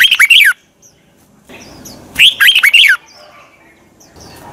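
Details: Red-whiskered bulbul morning song with a twisting voice, used to provoke other bulbuls into singing. It opens with a short burst of bright, rolling chirps, and a second similar phrase follows two seconds later. Soft rustle in between.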